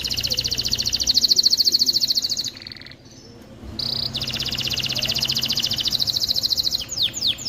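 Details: A male canary sings long, rapid, high rolling trills, breaks briefly, then resumes with a fast buzzy roll ending in quick downward whistled sweeps; song used to stimulate males to sing and females to mate.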